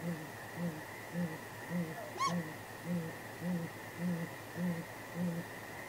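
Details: Great grey owl pair at their nest at 9:39 pm on 23 April 2019, exchanging contact hoots, possibly mating; deep, even hoots repeat roughly twice a second throughout, with one higher, arched, rising-falling cry midway, over steady background hum.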